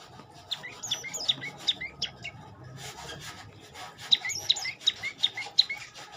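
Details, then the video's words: Olive-backed tailorbird repeating bright, sharp high notes in two bursts of five or six, accompanied by a rasping, scratching background noise. "Kicau indah burung prenjak lumut"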